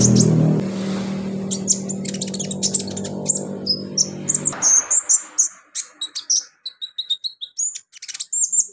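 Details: Konin (kolibri ninja) sunbird singing therapy track: dense rapid high chips and thin whistles, first over a loud low droning hum that then drops away, leaving lively irregular chirping.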